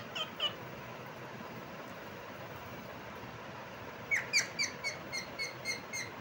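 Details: Parrot chirping: after two faint early notes, a series of about eight short, sharp chirps comes at roughly a third of a second apart, set against steady background hiss.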